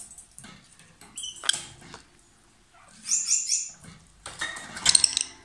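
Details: Loud song from a pair of lovebirds: rasping, buzzy chatter in dense bursts, a brief high whistled note early on, then shrill squeaky clusters toward the end.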